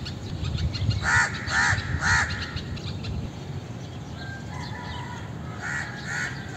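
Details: Indian crow calling: three loud, harsh caws roughly half a second apart open the stretch, followed by fainter, thinner calls and two more caws toward the end, over constant low rumbling background noise.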